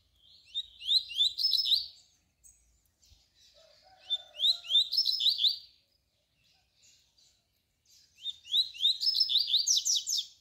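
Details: Canturia song of a double-collared seedeater, recorded as a tutor for young birds: three bright phrases of rising whistled notes ending in quick chirps, separated by pauses of about two seconds. A soft low warble is heard between them.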